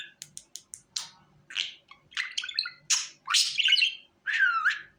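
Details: Calls of a budgie for calling it onto the hand: quick clicking ticks open, then buzzy chattering phrases and a longer wavering whistle near the end.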